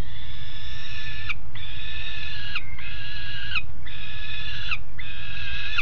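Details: Two juvenile peregrine falcons on the grating at Alphen aan de Rijn, Netherlands, 17 June 2016 at 13:30, give long, drawn-out, harsh whining calls about once a second, each steady then slightly falling, over a constant low rumble.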